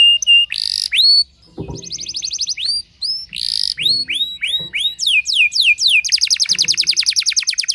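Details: Canary delivering a challenging song toward rival canaries: whistled notes, a short gap, then rapid rising sweeps and trills ending in a fast even rattle; faint low thumps underneath.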